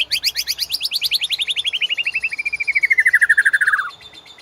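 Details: White-rumped shama training song used to prompt caged birds to sing: one long rapid trill of about twenty-five clipped notes per second, sliding steadily downward in pitch for nearly four seconds, then fading out.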